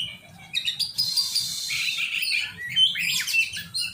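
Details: Oriental magpie-robin during training, beginning with a few soft notes, then harsh buzzy chatter mixed with clear high whistles and falling slurred phrases.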